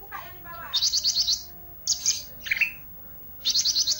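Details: Olive-backed tailorbird in lively filler song: rapid stuttering trills of five or six high notes, sharp chirps and a short mid-pitched burst, with trill phrases repeated after pauses.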